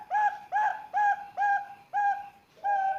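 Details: Three-month-old Bangkok-type zebra dove chick from Sengkang, Wajo, calling to encourage other young doves to call. Short mellow hooting notes repeat about twice a second, six in all, over a faint hiss.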